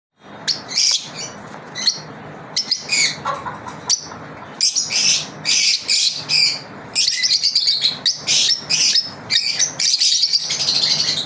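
Lovebirds chirp constantly in sharp, high, scratchy bursts, several calls a second, with short pauses between runs and a faint low hum behind.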